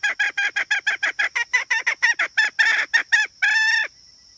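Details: Hen calling in a quick train of short, honking notes that gradually lengthen and grow louder, ending in one longer drawn-out note before quiet returns.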